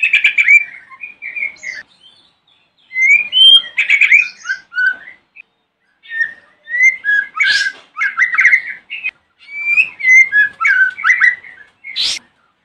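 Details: White-rumped shama singing in the morning to provoke other shamas into answering: varied whistled phrases around the middle-high range, with slurred notes, buzzy trills and sharp upward flicks, delivered in bursts separated by short pauses.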